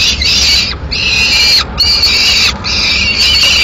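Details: Lone Peregrine falcon chick, Madrid, 22 May 2016, clamours for food while the female eats a swift the male brought. Three long, grating screams follow one another with short breaks.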